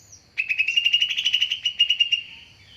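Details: Greater green leafbird lure sound: a steady rapid trill of evenly spaced buzzy pulses lasting nearly two seconds, trailing off at the end.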